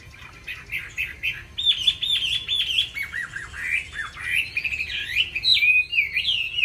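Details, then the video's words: Caged Chinese hwamei singing a varied song with many forest-bird voices: quick chirps, a rapid buzzy trill, then looping whistled phrases that rise and fall, loud and continuous throughout. "Mi hót hay đẹp cb8864c nhiều giọng rừng hay mau mỏ"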